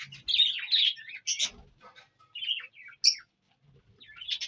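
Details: Indian ringneck parrot in Punjab, Pakistan, making irregular squawky chatter with short grating notes and brief pauses, ending in a sharp shriek.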